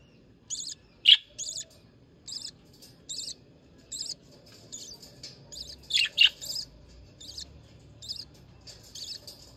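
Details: Budgerigar; begging call; hungry chicks begging for food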